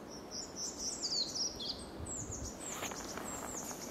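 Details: Semi-collared flycatcher, first accepted Netherlands record, 7 May 2021, DNA-confirmed, gives a quick run of thin, very high squeaky notes, then fainter high chips over steady background hiss.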